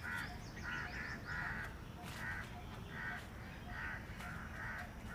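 A female Asian koel gives harsh, grating notes in a rapid series, about two per second, over a steady low rumble of background noise.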